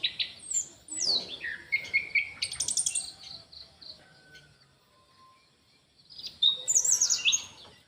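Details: Orange-headed thrush in an aviary singing scattered high twittering and whistled phrases, with a quiet middle stretch of faint thin notes before another bright, rapid burst.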